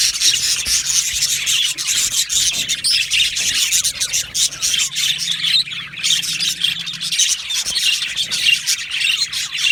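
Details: Crowded aviary of Australian budgies keeps up a thick, high chorus of chirps, warbles and squawks, pulsing slightly in loudness but never stopping.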